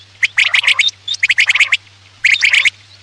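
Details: Quail calls for hunting at night: three fast rattling bursts of clicking, chattering notes with a brief high whistle between them, over a faint low hum.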